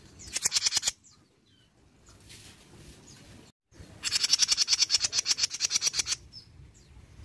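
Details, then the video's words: Song of a jenggot bird used to prompt other birds to sing. A short burst of fast, piercing chatter, a quiet interval with faint noise, then a longer run of about two seconds of rapid, high, evenly pulsed notes. "PANCINGAN JENGGOT MINI BAHAN LANGSUNG NYAUT"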